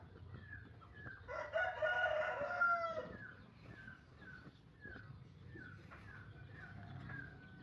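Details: A tame, free-ranging Javan green junglefowl, 11 months old and hatched from an egg, phone-recorded: one rough crow lasting nearly two seconds amid steady background chirping, with repeated short falling whistles from other birds.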